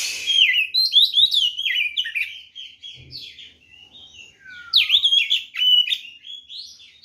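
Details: White-rumped shama delivering a fighting song to provoke other birds: fast continuous stream of varied chirps, zigzag whistles and slurs, with a brief quiet dip midway before a loud renewed burst.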